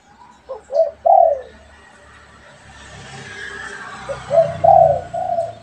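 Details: A pet spotted dove and a wild one answer each other with mellow, low coos. A short cooing phrase opens, then a hiss of background noise, and a second phrase ends on a strong coo.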